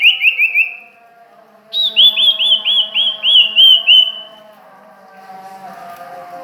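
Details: Sirtu or cipoh bird from Ajibarang singing a quick run of bright, down-slurred whistled notes, a short series then a longer one of about nine, over a steady low background hum.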